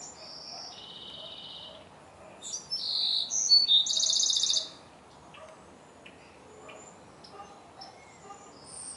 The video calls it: Wrens singing and communicating with each other!